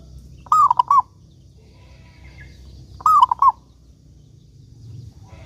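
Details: Zebra dove, local type, singing often as a lure so other doves will sing: two cooing phrases three seconds apart, a smooth falling note then two quick notes, with steady low rumble behind.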